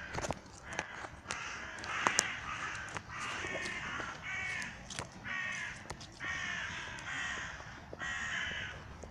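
A raven gives a run of harsh, nasal croaking caws, each about a second long and repeated in quick succession, with scattered clicks and knocks between them.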